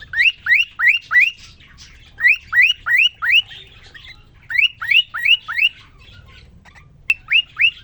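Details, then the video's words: Courting male cockatiel singing to a newly introduced female in his cage: quick upward-sweeping whistles in bursts of three or four, separated by short pauses, with a single click near the end. "The most amazing, and magical Cockatiel twitting you would ever hear."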